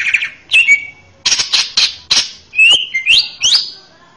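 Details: Training master song of a male greater green leafbird: a buzzy opening, a sharp whistle, several loud harsh rasping bursts, then clear rising and falling whistled slurs.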